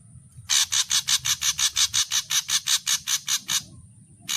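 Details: Ashy drongo (saeran abu) song in full variations: a rapid series of about fifteen harsh, rasping notes, each about a fifth of a second apart, over a faint low rumble and a steady high hiss.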